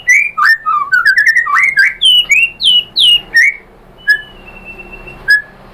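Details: White-rumped shama song used as a lure to trigger another bird to sing: a rapid series of rich whistled notes climbing and falling in pitch, then a quieter stretch with a long thin whistle and two short chips.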